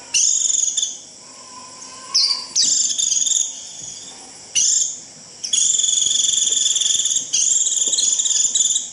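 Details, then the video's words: Japanese white-eye in the shrill 'rít' style used to call the flock: a series of sustained, high, sizzling trills of varying length broken by brief pauses, with a few sharp note onsets and a faint lower whistle in the background. "Tiếng chim vành khuyên rít √ siêu gọi bầy cực kỳ nhậy gọi là về"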